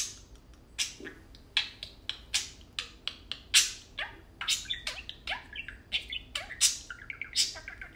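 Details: Two tame pet parakeets playing and talking; a dense run of sharp clicks and broadband squawky bursts mixed with short rising and falling chirps, several per second throughout.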